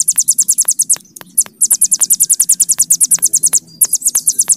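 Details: Hill prinia singing a long 'bren' trill: very rapid, high, evenly pulsed notes in two bursts broken by a short pause, with faint low background hum.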